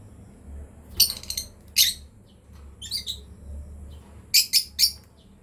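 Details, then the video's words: Lovebirds, a breeding pair, heard in a few shrill chirp clusters, one group of quick raspy notes near the start and another near the end, over a steady low hum. "Lovebirds chirping sound"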